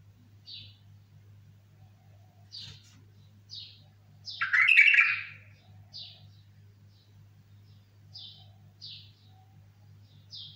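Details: Bulbul giving short, high chirped notes spaced about a second apart, with one louder, broader burst of sound near the middle, over a steady low hum.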